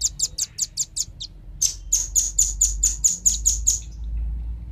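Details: Velvet-fronted nuthatch calls from male and female, meant to lure wild birds: two runs of sharp, high, evenly spaced chips, about three per second, with faint low rumble beneath.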